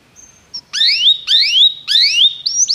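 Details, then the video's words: Canary song for training: a thin high whistle, then three loud slurred notes that sweep upward and level off, repeated about every half second, ending on short high chirps. "Canários Begie cantam muito"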